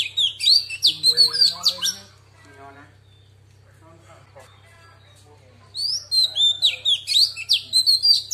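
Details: Female Oriental magpie-robin, wild-style song meant to excite males: bursts of rapid, sharp whistled and chattering notes, a quiet pause with faint low sounds, then another fast run of bright, varied whistles; low hum throughout.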